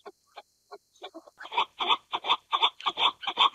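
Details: Chukar partridge (Alectoris chukar) calling: a few faint, spaced clucks, then from mid-clip a loud run of harsh, rhythmic chuck notes repeated roughly every quarter second.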